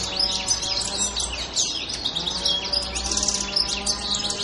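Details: Goldfinch song from Pantelleria, recorded on 2 January 2011: a busy stream of bright, high chirps and liquid twitters, delivered without pause over a faint low hum.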